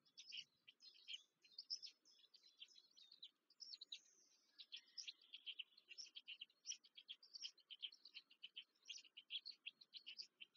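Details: At a Black stork (Ciconia nigra) nest near Łódź, Poland, on 14 May 2023, nestlings beg during feeding with a continuous stream of shrill, scratchy chirps in quick pulsing bursts, with brief lulls.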